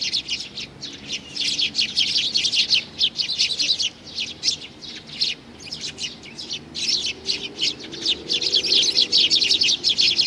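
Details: Young sparrow in June 2019 calling with fast, repeated high chirps, about two or three per second, in long, slightly uneven runs and a faint low sound behind.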